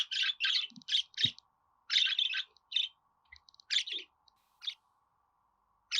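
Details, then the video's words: Budgerigar chirping for young or newly arrived pet budgies, male or female: clustered buzzy notes, a quick run then sparser single chirps. "Muhabbet Kuşu Ötme Garantili Kuş Sesi,Muhabbet Kuşu Sesi"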